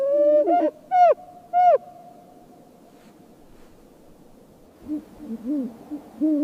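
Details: Snowy owl chirping: three loud, sharp, downward-bending harmonic notes in the first two seconds, a pause, then softer, lower, arched chirps near the end.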